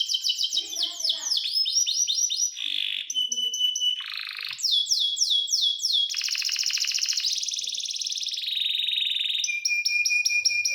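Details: Canary pouring out a highly varied song: sweeping slurred tours, bell-like pulsed notes, a held pure whistle and a buzzy rolling trill, changing phrase every second or two.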